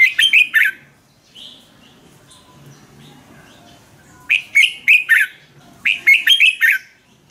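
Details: Caged-bird training song of a Thai red-whiskered bulbul: three lively phrases of rapid, sweet chirps, each about a second long, the first at the start and two more close together near the end after a quiet pause.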